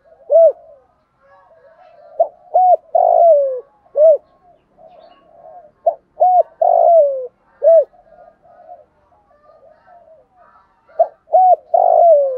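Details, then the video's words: Spotted dove in the morning, a calling decoy bird summoning the flock, gives soft, low, hollow coos in repeated phrases of short notes, each ending in a longer, rolling, falling croo, every few seconds. "chim cu gáy mồi gáy gọi bầy buổi sáng"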